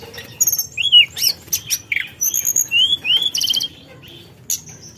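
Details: Forktail provoking rivals: wavering downslurred whistles mixed with high buzzy notes in an irregular series, ending with a quiet pause and one last high note.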